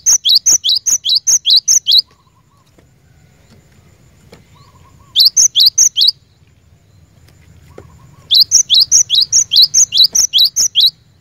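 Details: Cinereous tit used for training caged birds: three bursts of rapid, evenly spaced, high upslurred whistles, each several to ten notes long, separated by brief silences.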